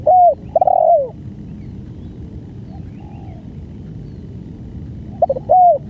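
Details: Spotted dove in long banggo song. A short coo then a broad descending coo open the clip, a pause with faint distant coos follows, and another short-and-long coo pair ends it.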